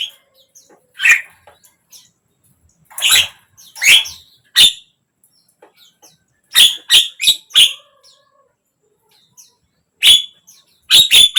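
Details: Javan myna (jalak kebo) song meant to prompt a silent bird to start singing: scattered harsh, chattering notes in short clusters of two to four, separated by quiet gaps of a second or more.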